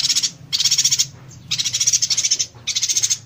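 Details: Yuhina singing in the 'konslet tembakan rapat' style, meaning 'short-circuit, close-fire', used for training songbirds: three high, dense buzzy rattling bursts, each under a second, with short silent gaps between them.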